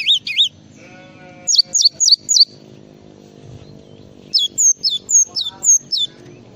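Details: Java sparrow singing in the full isian style: a quick chirped pair, then a run of four bright down-slurred whistled notes, a pause, and a second run of five or six similar sweeping notes over a faint low hum.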